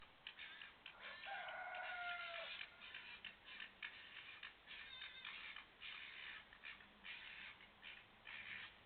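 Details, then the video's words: Cockerel crowing once, a drawn-out harmonic cry of about one and a half seconds, followed by a run of harsh, rasping bursts repeated irregularly, an unexplained strange noise continuing throughout. "Cockerel crowing"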